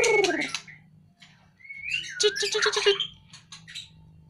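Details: Caged white-rumped shama, carried out of its cage for conditioning, gives a noisy opening, a clear rising whistle, then a jumble of dense twittering with quick low clucks repeated about five times, over a steady low hum.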